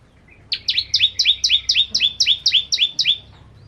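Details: Bar-winged prinia, known locally as ciblek kristal, singing energetically in a training recording for captive songbirds: a run of about eleven sharp chirps, each sliding quickly downward from a high pitch, delivered evenly at roughly four per second over a quiet background.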